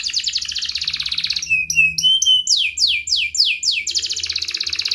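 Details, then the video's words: Canary ngerek song, a lure for young and reluctant canaries: a dense high buzzy trill, short sliding whistles, then a run of repeated downward swoops about four per second, ending in another rapid trill. "Kenari Gacor Ngerek Menekan Lawan Ahlinya pancingan Kenari paud belajar Bunyi dan Kenari Malas Bunyi"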